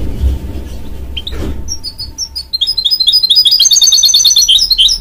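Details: Goldfinch mule, a hybrid bred from a goldfinch and a canary, starting with a few sharp notes after a low thump, then building into fast, loud, repeated twittering phrases that grow denser toward the end.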